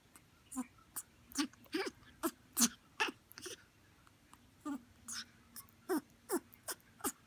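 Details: Grey parrot chick born in September 2018, kept as a pet and seeking attention, likened to a puppy: a run of short whimpering, squealing cries repeated roughly twice a second, some with falling pitch, with brief pauses between bursts.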